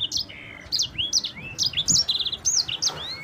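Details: Brisk rolling song of a champion yellow-fronted canary (sanger): crisp high whistles, a rapid four-note trill, and long rising slurs beneath, clear and unbroken, recorded to lure other birds into singing.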